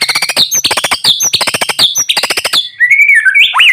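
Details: White-rumped shama singing loudly while sunning in the morning, used to prompt quiet shamas to sing. A rapid stuttering run of harsh repeated notes gives way to fluid whistled phrases that rise and fall.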